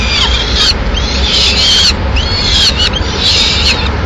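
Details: Madrid peregrine falcon nest, 6 May 2016, female arriving with pigeon prey; strident, wavering wails in quick succession, some with sharp upward and downward slides, over a low continuous rumble.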